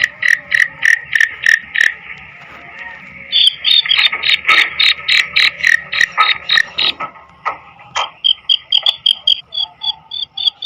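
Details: Female black francolin giving rapid grating, ratchet-like notes in uneven runs, shifting to higher, thinner clicking bursts in the final seconds.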